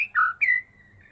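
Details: Caged Medan-type white-rumped shama, kept since a fledgling and singing after its first moult, in full repertoire: a loud high whistled note, a lower sliding whistle, then a long bright whistle easing gently downward.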